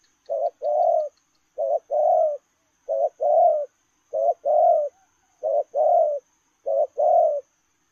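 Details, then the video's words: A spotted dove cooing as it runs: six repeated two-part phrases, a brief clipped note followed by a longer rolling coo, spaced about every 1.2 seconds against an otherwise quiet background. "Gù Lèo rồng vừa chạy vừa gù"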